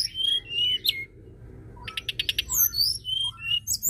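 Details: Lure song of a white-browed shortwing: quick sweeping whistles and slurred notes, a burst of rapid stuttering ticks in the middle, then more high descending whistles, with a steady low hum beneath.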